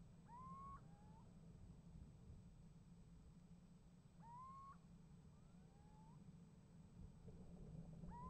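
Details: Call-and-answer between little owls at a nest box, January 28, 2015: three clear rising, plaintive calls roughly four seconds apart, each trailed by a softer, more distant reply, over constant low-frequency hum.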